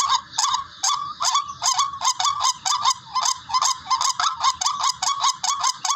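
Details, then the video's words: Barred rail (tikling) call used as a hunting lure, rendered "ruak ruak": harsh, nasal upslurred notes with a raspy edge, repeated about two and a half times per second in an uneven rhythm, with no other sounds. "MABISANG PANG AKIN HONI NG TIKLING SOUND EFFECT BIRD HUNTING RUAK RUAK"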